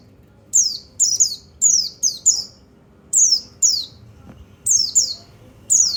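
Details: High, thin descending notes from a white-eye (pleci), used to rouse other birds, come in bursts of doubled and tripled slurs, then pause briefly before the next run.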